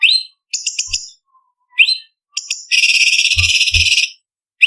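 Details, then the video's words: Training song of a blue-winged leafbird for bird contests: rising whistles and chattering notes lead into a sustained, loud, grating trill. Dull low thumps sound beneath it. "Masteran Cucak Cungkok Istimewa ~Isian Kasaran Pedas Variasi ~ Tembakan Masteran Burung Lomba"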